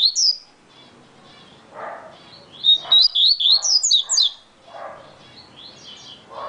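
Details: Yellow-bellied seedeater (coleiro baiano) singing very fast: a brief opening note, then a dense run of high, looping chirps for about one and a half seconds, with soft lower background sounds before and after.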